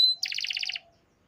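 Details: Canary producing a short fast trill of about ten evenly spaced double-toned pulses after a brief high whistle.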